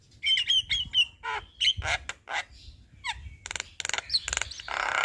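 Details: Javan myna in full song during the day in front of a house, giving clear whistled notes repeated in a short series, then buzzy rasping bursts and harsh chatter, with low rumbling background noise.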